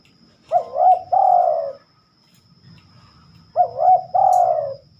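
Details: Two cooing phrases from a spotted dove at night, about three seconds apart, each a pair of clipped, hooked notes and then a long, smooth, downward-sliding coo over a quiet background.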